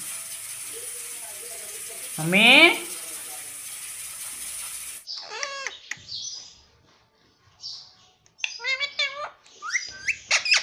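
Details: Talking pet ringneck parrot saying mummy: after a hissy, noisy opening with one sweeping sound, a string of sharp, high harmonic syllables comes in quick clusters separated by brief pauses.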